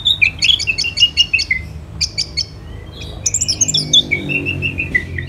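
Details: Orange-headed thrush song beginning with a quick series of chirps. It then moves to a run of descending whistled notes and ends in a flowing string of whistles.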